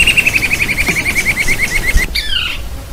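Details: Narrow-billed Woodcreeper, common across Brazil and rare in the Amazon region, giving a rapid, even series of about eighteen short whistled notes that slowly drop in pitch. A brief, different upslurred call follows at the end.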